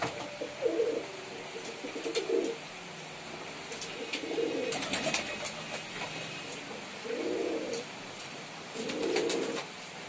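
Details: Several pigeons produce repeated low, gurgling coos, roughly every two seconds, mixed with scattered clicks, scraping and flapping noises from the birds moving about.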